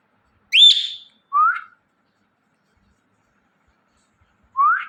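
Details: Indian ringneck parrot chirping: a sharp, high harmonic chirp, then a short rising whistle, a long silence, and one more upward-sliding whistled note near the end.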